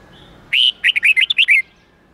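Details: Song phrase of a red-whiskered bulbul in the 8-9-10 note wild style, played to train young birds: one long bright whistle, then about seven rapid, liquid, up-and-down whistled notes, all within just over a second.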